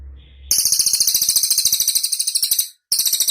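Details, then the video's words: Cililin (pygmy tit) song used as a tutor recording for songbirds such as kacer, magpie-robins and cucak ijo to copy; very high, rapid buzzy trill of even pulses, briefly broken, then resuming after a short gap. "Suara burung cililin untuk masteran sang juara"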